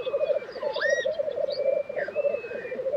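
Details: Black grouse lek in Tiveden, Sweden, April 2023: rhythmic, gurgling bubbling hums underneath, while another bird's clear drawn-out whistles and a swooping upward note ring over it.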